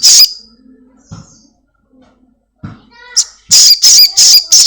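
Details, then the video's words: Home-kept Black-winged myna, a lure recording played to get a caged bird singing quickly; after quiet low murmurs, loud harsh buzzy squawks burst out in a rapid series of about four grating notes near the end. "Sogon gacor || Pancingan sogon rumahan agar cepat bunyi"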